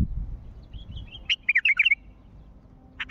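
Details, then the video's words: Wild bulbul from Mandali calling: a quick burst of about six bright, rich whistled notes jumping up and down over half a second, with a softer high warble before it and a low background rumble. "ندهات بلبل وحشي مندلاوي"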